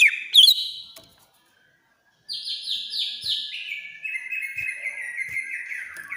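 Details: Greater green leafbird from Banyuwangi, agitated, with shrill rapid trilled phrases that step down in pitch after a brief sharp note and a pause, played to prompt a silent bird to sing.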